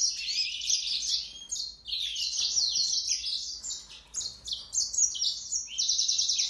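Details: A yellow-fronted canary (Mozambique serin) sings a fast, continuous jumble of high, sweet twitters and trills, with slurred notes and no pauses.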